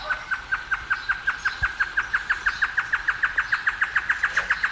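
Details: A great antshrike in the wild gives a long, even run of hollow, mid-pitched notes, about six per second, over a faint low rumble.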